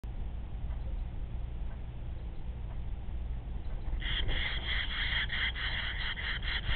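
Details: Barn swallow at a nest, recorded 13 July 2010 around 21:17, giving a quick run of rasping, twittering notes in the last few seconds over a steady low rumbling hum.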